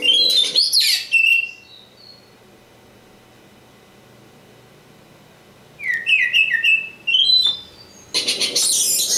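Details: Oriental magpie-robin, local East Java bird, singing in short bursts: bright rising and falling whistles near the start, a long quiet pause, then a quick run of sliding whistled notes and a harsh scratchy burst at the end.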